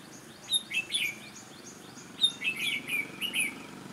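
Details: Sharp-voiced, bustling red-whiskered bulbul, recorded while trapping, sings two runs of bright, slurred, warbling notes separated by a short gap, each run dropping in pitch in places.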